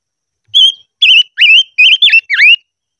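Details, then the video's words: Silver-eared mesia singing in voice training: six clear whistled notes, each a short wavering or rising-falling whistle, delivered in quick succession over about two seconds against a silent background. "Chim ngũ sắc hót hay luyện giọng - ngũ sắc hót ché"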